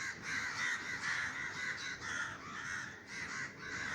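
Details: Over a Sri Lankan garden, many crows startled into flight by a scaring gunshot fill the air with harsh, raucous caws, overlapping into a steady swelling chorus that rises and dips in loudness.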